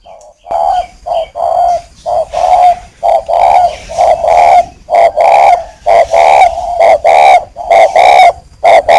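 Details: Breeding male spotted dove kept as a decoy bird in northern Vietnam, near Ba Vì, Hanoi, cooing after a single prompt: a long run of deep, mellow coo notes about twice per second, separated by brief pauses.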